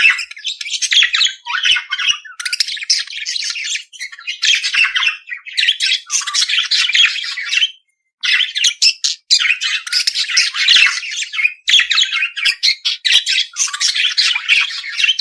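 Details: Budgerigar, the Australian parakeet, in nearly continuous scratchy warbling chatter of rapid chirps, clicks and squawks, broken only by one brief pause midway.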